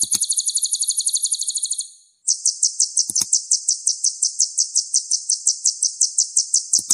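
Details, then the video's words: Energetic sunbird song, used as training audio to get songbirds singing. A shrill pulsing trill breaks off, then a faster, very even high buzzy trill runs for five seconds. Faint low clicks are heard now and then. "MASTERAN SPESIAL KOLIBRI GACOR"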